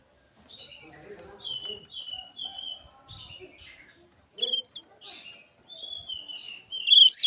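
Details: Oriental magpie-robin singing in imitation of an Asian pied starling, played as a lure for other magpie-robins. It delivers varied clear whistled phrases, some slurred and descending, broken by brief pauses, with sharp high bursts near the end. Faint low murmurs sit underneath.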